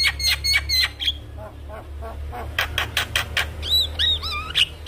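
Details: Javan myna in full song with mimicked fills: harsh chirps and short whistles, a run of scratchy bursts, then a set of arched whistled notes and a wavering whistle near the end.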